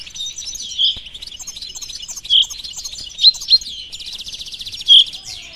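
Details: Goldfinch mule sings a dense, scratchy twittering warble with a few loud piercing notes scattered through it and a fast buzzy rattle near the end.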